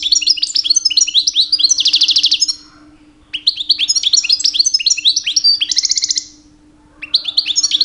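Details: Two-year-old goldfinch's breeding-season song to attract females: two long phrases of quick twittering notes, each ending in a fast metallic trill, with a short gap between and song resuming at the end; low hum behind.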